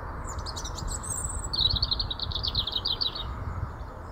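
A robin's brief, high song: thin warbled notes, then a quick run of repeated twittering notes, over a steady low rumble.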